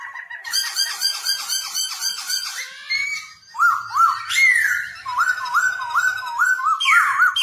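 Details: Black-throated laughingthrush singing while dancing, a recording used to train young birds to sing: a rapid run of repeated whistled notes, then a rising slur and a quick series of clear, upward-flicking whistles near the end.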